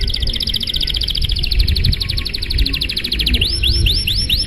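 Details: Long luxurious-style 'gacor' canary song meant to draw other canaries into singing: a rapid, even trill of high notes that breaks into a series of rising, upswept whistles near the end, with low background rumble.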